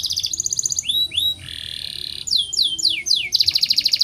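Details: Canary in breeding condition singing a long rolling song of fast pulsed trills, two rising upslurred whistles, a steady lower buzzy note, then falling swept notes and a final rapid roll.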